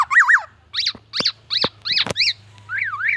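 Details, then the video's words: Black-naped oriole imitating other sounds: a wavering double whistle, several loud sharp downslurred notes about one every third of a second, and a closing up-and-down wavy whistle resembling a siren. "KEPODANG EMAS TELER BONGKAR ISIAN MURAI BATU DAN SIRENE AMBULANCE"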